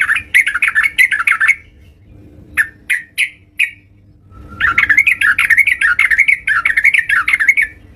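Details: Energetic (gacor) yellow-vented bulbul singing at home: a loud, bubbling chatter of rapid warbled notes, a few separate sharp notes, then a long, rolling warbled phrase.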